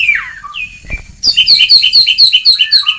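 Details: Ngeplong song of an oriental magpie-robin, used to train lazy singers: a few sweeping whistles, then a quick rhythmic series of about ten bright paired notes repeated steadily.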